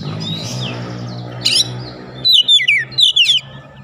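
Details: Agitated Oriental magpie-robin delivering fill-in song phrases: after a low droning hum, a few short, bright whistled notes that slide sharply in pitch.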